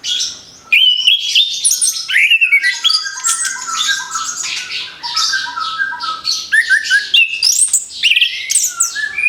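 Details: Orange-headed thrush, a caged bird newly moulted, sings a long, dense phrase. Squeaky and buzzy high notes alternate with whistled slurs at a steady pace, barely pausing after a short quiet opening.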